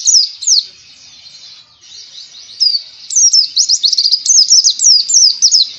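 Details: Oriental white-eye ngalas song used to teach other birds: two loud high chirps, a soft thin twitter, then a long, dense, rapid chain of sharp down-slurred notes.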